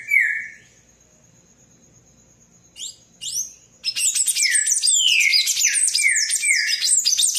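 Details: Palm tanager singing a lot: one low slurred note, a long thin high tone and a few short squeaks, then an energetic, continuous outpouring of high twittering and downslurred whistles.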